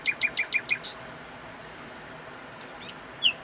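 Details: Nightingale recorded at very close range: a quick series of five short, high chirps, each evenly spaced, then near silence over a steady hiss, ending with a few scattered thin whistled notes.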